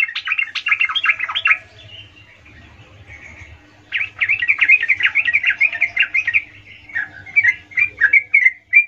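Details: Sooty-headed bulbul (trucuk) lure song used to call companions, performed in a rolling gacor style: rapid bubbling, warbled phrases of quick repeated notes, pausing briefly before another fast rolling run.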